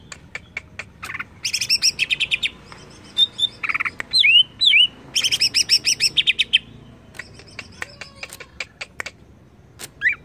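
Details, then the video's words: Lure song of a greater green leafbird meant to make birds agitated: fast runs of sharp ticks, loud buzzy chattering bursts and several clear upslurred whistles, changing phrase every second or two. "AMPUH PANCING CUCAK IJO JADI EMOSI"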